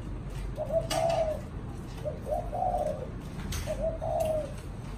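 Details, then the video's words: Pet spotted dove singing its "thổ chạm đồng" coo: three soft, rounded phrases, each a short lead-in note then a longer swelling coo, with faint ticks in the background. "Cu thổ chạm đồng"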